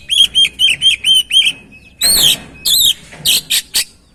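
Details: Oriental magpie-robin (kacer) singing to prompt another bird into song: a run of six clear, evenly spaced whistled notes, followed by harsher buzzy bursts and rapid chattering notes.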